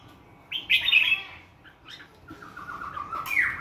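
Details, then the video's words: A bird with a clean wild-forest voice sings in the morning: a loud rich warbled phrase, a pause, then a long level whistled note rising at the end into a bright sharp chirp. "TIẾNG CHIM HOT NGHE THƯ GIÃN /Thư giãn Tiếng chim hót buổi sáng"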